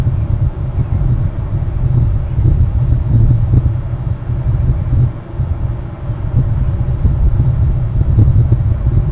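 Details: Deep, continuous wind rumble buffeting the microphone, rising and falling in gusts, with no animal calls.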